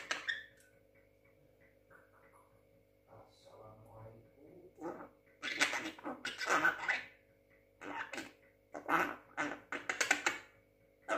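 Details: Six-month-old Javan myna, a young talking pet bird, giving loud, rasping, speech-like bursts in irregular groups after a quiet start, with short whistled accents among the harsh chatter.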